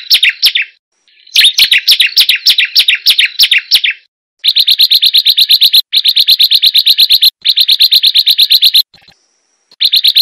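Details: Hill prinia song played as a lure to coax a kept bird into singing: rapid bursts of sharp, high chirps, first slurred descending notes, then dense fast trills of clipped notes broken by abrupt short silences.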